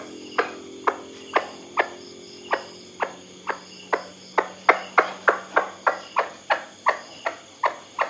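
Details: White-breasted waterhen call, a recording meant to be played at night to lure birds: loud, abrupt clucking notes repeated two to three times a second, speeding up mid-series, with a faint steady hum behind.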